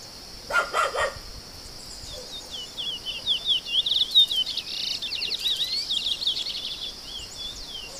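Chestnut-bellied seed finch giving a rapid, varied warble of sliding whistled notes for about six seconds, over a steady high whine, after a brief dog-like bark.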